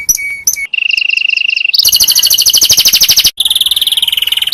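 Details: Canary singing to teach other canaries: two whistled notes, a steady mid-pitched roll, then a loud fast high trill, a brief break, and another rapid trill.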